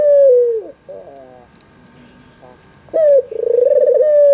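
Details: Barbary dove, a white red-eyed albino, cooing to stir other doves into calling. A drawn-out coo fades downward, a long soft pause with faint murmurs follows, then a sharp note launches another rolling coo.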